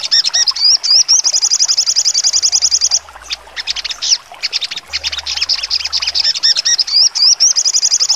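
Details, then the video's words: Sogon songbird giving full trotol song with sharp notes, used as training song for contest birds: high rapid trills alternate with dense runs of clipped chirps and upward-flicking whistles, repeated several times. "sogon trotol full nembak tajam"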